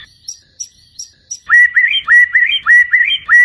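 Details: Night song of a white-rumped shama for training competition birds: soft high chips at first, then loud upward-hooked whistles repeated rapidly in an even rhythm.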